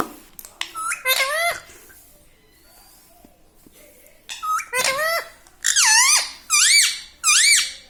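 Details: Pet parrot talking, known to say "mummy", "mithu" and "radhe radhe"; two bursts of squeaky curved syllables separated by a quiet stretch, the second run louder with four evenly spaced wavering notes.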